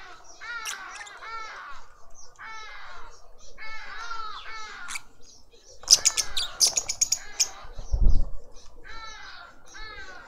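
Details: In a suburban garden in Pretoria, South Africa, a lovebird family feeds a juvenile; short nasal downslurred calls come in quick clusters every second or two, with a burst of sharp high chirps and a soft thump midway.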